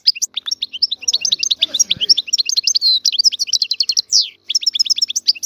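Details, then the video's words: Wild Algerian European goldfinch in song: a fast, continuous stream of high, tinkling twitters and liquid trills, with brief buzzy slurred notes woven in. A faint low rustle sounds partway through. "تغريد طائر الحسون الحر"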